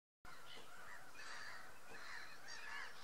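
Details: Greylag geese at Tophill Low nature reserve: a run of nasal, honking calls that rise and fall in overlapping bursts, several birds calling together steadily for three seconds, with no other clear sounds.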